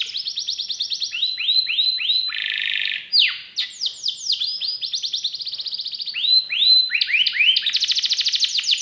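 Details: Canary singing in gacor style with prized cengkok turns and rich isian fill-ins: rapid trills of sharp descending sweeps, a buzzy steady passage near three seconds, then fast rattling repeated notes that speed up toward the end.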